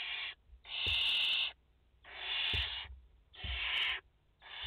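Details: At a French barn owl nest on 30 August 2021, a mother and four chicks: drawn-out rasping hisses lasting near a second, three full ones with brief pauses between, soft thumps in the background.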